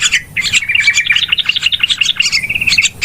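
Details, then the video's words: Yellow-vented bulbul noisy calls for luring birds during trapping: tightly packed, buzzy chirps and quick chatter, ending in a short wavering whistle followed by a final sharp note. "SUARA PIKAT TRUCUKAN RIBUT PALING AMPUH"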